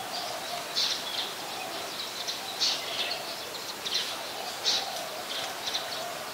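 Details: In Ubon Ratchathani, Thailand, on 26 March 2022, a scaly-breasted munia gives thin, high, clipped call notes, repeated roughly every second in an uneven rhythm, above a constant droning hum from the surroundings.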